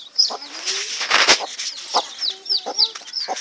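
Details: Chicken chicks calling: a stream of high, thin, downward-sliding peeps, mixed with short lower clucking notes and a brief rustling burst near the middle.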